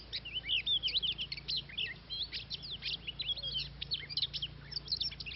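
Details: Oriental magpie-robin singing in a trapping setting in Vietnam. Dense run of varied high chirps, short whistles and quick twittering notes, closely packed with barely a pause, over a faint low hum.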